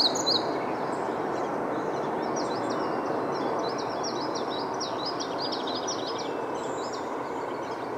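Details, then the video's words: Siberian rubythroat song: a quick run of high, sharp, repeated whistled notes in the middle of the recording, fairly faint against a constant heavy background noise. "Calliopa calliopa song"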